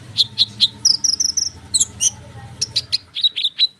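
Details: Lively konin bird delivering a dense lure song for sunbirds: repeated sharp high notes and short whistled strings, with a low hum beneath.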